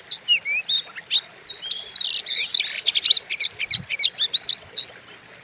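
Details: Fierce-sounding Oriental magpie-robin lure song used to stimulate other birds: short separate chips, then a tumbling stream of buzzy whistles and rapid trilled notes in the second half.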